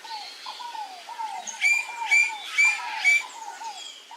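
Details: Male Pale-crested Woodpecker (Celeus lugubris) foraging at a papaya gives four loud, harsh, ringing notes about half a second apart, over a steady run of soft, falling whistles from another bird.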